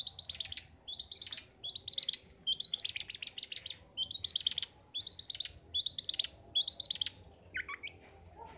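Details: Pet long-tailed shrike (pentet, cendet) in full gacor song: a string of short, fast, twittering high phrases, about one each second, with brief gaps between.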